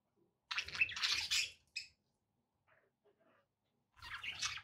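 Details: Pet budgies make harsh, noisy squawking bursts, one long and one shorter, followed by near silence and then another rough burst at the end.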